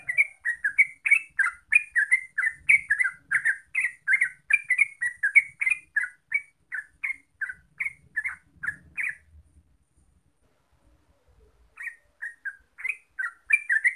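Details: Yellow-vented bulbul song: fast, chattering string of liquid gurgled notes for nine seconds, a short silence, then the bubbly phrases resume; faint low noise in between.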